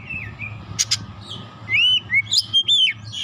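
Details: Oriental magpie-robin (kacer) tutor song for training caged songbirds: soft whistles and two sharp clicks over a low background hum, then louder slurred whistled phrases.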